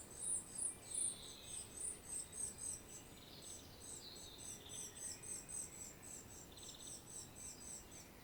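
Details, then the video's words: Eurasian treecreeper (Certhia familiaris) field recording from Świnoujście, Poland, 25 September 2022: very high, thin notes repeated about four times a second, a few lower buzzy bursts, faint background hiss. "Eurasian treecreeper (Certhia familiaris) | Bird Sounds"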